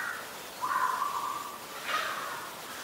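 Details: Black-collared starling recorded on a rainy day, 15 October 2021, in Ubon Ratchathani, Thailand; two loud, harsh, drawn-out calls at mid pitch, the second flaring upward briefly, over a steady hiss of rain.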